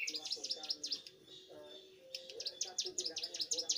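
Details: Young Bar-winged prinia singing vigorously: two bursts of quick, sharp, downward-swooping high chips, about five per second, separated by a short pause, over a faint low murmur.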